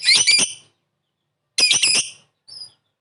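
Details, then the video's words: Lovebird calling to lure a quick response: two harsh chattering squawks about a second and a half apart, then a short thin squeak. "Suara burung Lovebird memanggil di sertai ngetik ngekek pancingan labet cepat respon"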